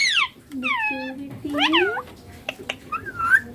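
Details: Green ringneck parakeet talking "papa" and "mummy": a sharp falling squeaky syllable, then flatter nasal words and a rising phrase over a low voice, followed by a few clicks.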